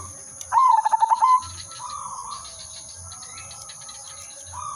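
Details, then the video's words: Zebra dove, silver udanmas type, sung as a lure: a single brisk phrase of quick stuttered notes dropping into a rolling trill, followed by quieter distant coos and faint low thuds over a steady whine. "burung perkutut/merbok silver udanmas gacor manggung irama merdu pancingan dan pikat"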